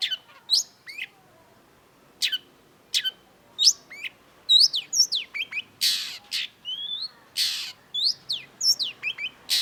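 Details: Long-tailed shrike (cendet) in energetic, varied song: sharp chips and swooping whistles that build into a dense stream of harsh rasping bursts and twittering notes.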